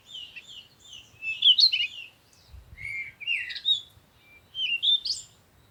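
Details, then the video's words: Sunrise chorus of birds. Bright, high twittering phrases with quick sweeping notes repeat in four bursts, and faint low rumbling sits underneath. "Morning Sunrise and Birds sound"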